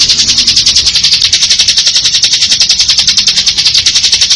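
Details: Continuous ngebren trill of a bar-winged prinia: a loud, high, buzzy stream of rapid pulses, about three or four per second in the loudness swells, steady throughout with no other clear sounds.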